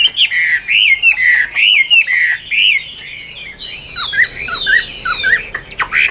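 A Chinese hwamei sings loud, rich phrases: slurred notes rising and falling, then higher whistled sweeps and sharp downward notes, delivered quickly and continuously.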